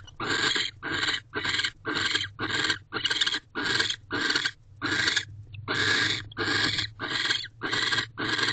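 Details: Barn owl in a nest box at night, 9:11 pm on 18 December 2023, after the male returns, the pair mates and he guards the entrance; harsh, broadband hissing bursts repeat steadily, about every half second, over a low background hum.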